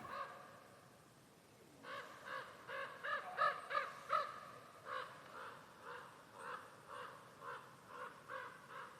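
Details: Common ravens of a family that has nested near an off-grid homestead in Norway for years, heard but unseen in autumn (September–October): a rapid run of about twenty harsh, hoarse calls, nearly three a second, after a quiet opening.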